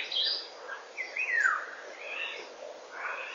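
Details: Eurasian golden oriole song on a morning in May 2013, 08:15, picked up by a forest camera: one clear, fluted whistle sliding downward, amid softer chirps of other birds in the background.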